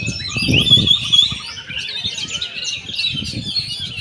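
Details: Oriental magpie-robin chattering and whistling in a dense, unbroken song, with low thudding noises near the start.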